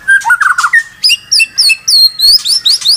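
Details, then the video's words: White-rumped shama kept in a cage, pouring out song: a few low slurred notes followed by a quick series of high, clear whistled phrases repeated about three times a second. "SEKETIKA MURAI BATU MACET BUNYI LANSUNG TERPANCING EMOSI tak mau berhenti"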